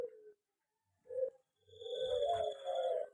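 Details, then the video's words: Aviary-kept local zebra dove: a short soft coo, a brief pause, a second clipped note, then a longer rich trilling coo phrase that builds and holds. Quiet gaps between the opening notes. "perkutut di aviary lebih cepat gacor dan bunyi"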